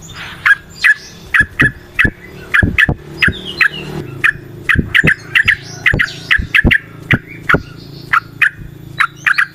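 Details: Natural-style recording of a yellow-vented bulbul used to stimulate caged birds into singing: a long string of short, bright, liquid notes repeated irregularly, about two or three each second, with a faint low background hum.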